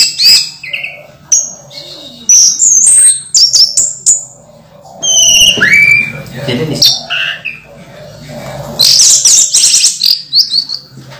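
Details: Orange-headed thrush in its moult, kept as a cage bird, delivering a long varied song of high sliding whistles, sharp chips and scratchy trills, interrupted now and then by a human voice.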